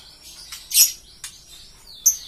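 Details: Green lovebird making a few thin, high chirps and one loud sharp squeak, the calls spaced irregularly over a couple of seconds against a quiet background.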